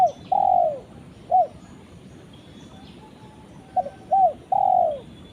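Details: A spotted dove calls to its companion, giving a long falling coo, a short coo, then after a pause two quick coos and another long drawn-out descending coo.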